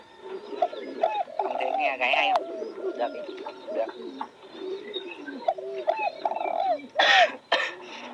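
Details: Spotted dove cooing: low, soft hooting notes repeated in short phrases, with people talking nearby and occasional clatter and higher bird chirps in the background.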